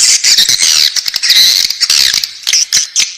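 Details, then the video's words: Nest-bound swiftlet chicks produce high, buzzy squealing with squeaky whistles and rapid clicks, fading into short separate bursts. "Suara walet anakan dalam sarang"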